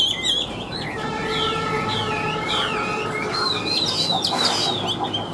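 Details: Chinese hwamei taken from the wild, noted for loud, strong singing. Looping whistled notes rise and fall against a steady low hum, with a brief noisy burst near the end.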